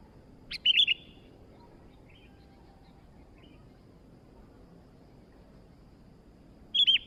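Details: Newly acquired sooty-headed bulbul singing: one short liquid, burbling phrase, several seconds of near silence with hiss, then another similar quick phrase at the end.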